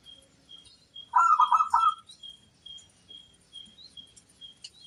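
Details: Local zebra dove song, used as a lure to get other doves to answer: a single brief burst of quick, rolling, lobed coos lasting about a second, over a steady high thin tone and faint background ticks.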